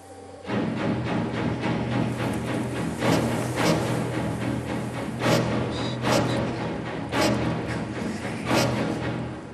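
Dramatic orchestral music with booming timpani strikes and swelling strings, with no animal voices audible.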